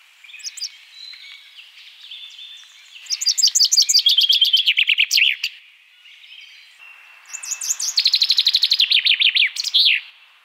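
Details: Common Chaffinch singing two full phrases, each a rapid run of repeated notes that speeds into a descending trill and ends in a sharp flourish, separated by a quieter pause with faint background chirping.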